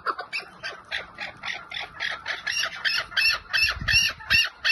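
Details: Chukar partridge with a 'lal' style call: rhythmic harsh chuk notes, about three per second, growing louder and fuller as the series builds, with a brief low thump near the end.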